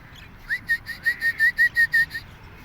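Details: One of two Alexandrine parakeets walking in a park gives a quick run of about ten clear, whistled notes, roughly six per second, the first rising and the rest level, over a soft background rumble.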